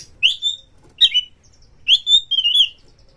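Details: White-rumped shama song to spur other shamas into singing: three clear phrases of sharp, downslurred and level whistles, the last one longer and warbling, separated by short silences.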